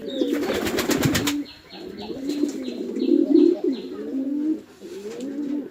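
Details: A male and female pigeon fighting at a pigeon farm in Chittagong District, Bangladesh: soft rolling coos after an opening rattle of wing flapping, with a short series of high chirps in the background.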